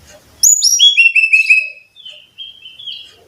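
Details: Brown-chested jungle flycatcher song played to train caged birds to sing more readily: a bright burst of high whistled notes sliding downward in quick steps, then softer level whistles trailing off.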